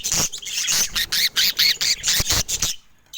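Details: Budgerigars showing affection give a fast, scratchy warble of short chirps, about two per second, then fall quiet at the end.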